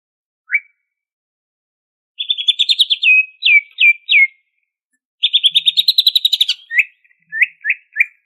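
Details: >Greater green leafbird from Banyuwangi, Indonesia, singing in the busy ngentrok style full of varied phrases: a lone upslurred note, then fast rattling trills of chirps interleaved with repeated sharp downslurred whistles, all high-pitched, with no background noise.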